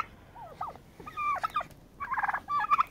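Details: Fighting turkeys sorting out a pecking order; short rising and falling yelps followed by a rapid rattling gobble burst and a final squeal.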